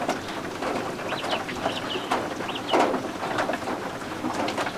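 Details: Newly hatched guinea fowl keets kept warm indoors under a heat lamp, giving several short, high, arched peeps in a loose run over steady rain and patter from the storm outside.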